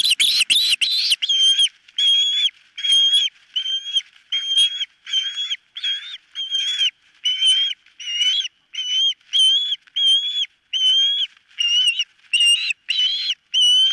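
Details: At its nest, captured by a nest camera on 4 September 2023, an osprey gives a long series of piercing whistled notes, roughly one to two per second, after a brief noisy rustle at the start.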